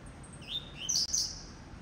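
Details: Captive blue-black grassquit from a breeding aviary singing in the coleiro tuí-tuí style: one brief phrase of high rising notes ending in a bright, buzzy burst, over light background hiss.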